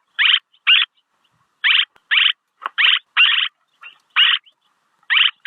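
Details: Swallow calls recorded as a lure: loud, grating chirps given singly or in doubled bursts, separated by pauses of up to a second. A few softer, scratchy notes fall in between.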